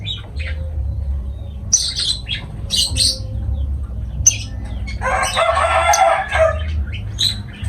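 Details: Lovebird calls: brief high squeaky chirps in bursts, then a longer harsh rasping chatter, with a low background hum throughout.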